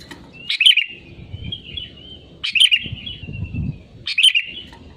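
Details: Sooty-headed bulbul singing actively, an original-voice recording used as a lure to get other birds singing: three short, bright phrases about two seconds apart, each a quick burst trailing into a thinner drawn-out note, over faint rustling.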